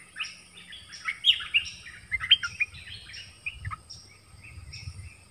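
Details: Nok dok taeng dueling in song with a wild bird: a busy run of chirps, trills and slurred whistles. Light low rumbling sits underneath.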